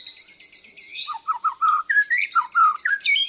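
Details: Juvenile white-rumped shama of Borneo learning to sing and copying tutor phrases, delivering a fast series of repeated high whistled notes, then lower rich slurred whistles alternating with high trills, with no other sounds.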